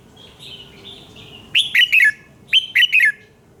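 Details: Morning singing of a red-whiskered bulbul: soft whistled notes lead into two loud, fast phrases of three or four ringing notes that tumble downward, roughly one second apart.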